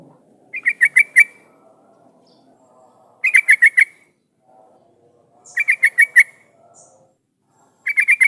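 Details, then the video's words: Yellow-vented bulbul song used as a lure to get other bulbuls answering and singing: short bursts of four or five bright chirpy notes near the same pitch, repeated roughly every two and a half seconds, with faint low background hum between bursts. "suara pancingan trucukan gacor jadikan burung trucukan nyaut dan bunyi"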